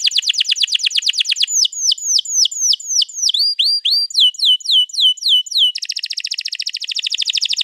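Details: Canary in long rolling 'gacor ngerol panjang' song, played to coax another canary into singing, 21 April 2022: a fast trill, then repeated sweeping downslurred whistles, then a dense high rolling trill.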